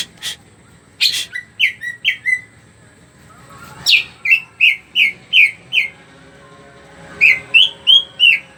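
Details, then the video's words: Greater green leafbird in lively song, its song used as a lure so other birds sing quickly: short bursts of four to six rhythmic whistled notes, separated by pauses, with a few sharp clicks. "burung cuca ijo gacor. bagus buat pancingan biar burung cepat bunyi."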